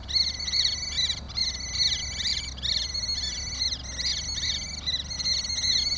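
Common Kestrel giving shrill, whining, harmonic calls in rapid rising-and-falling bursts, about one burst per second, during mating. A faint low rumble sits underneath.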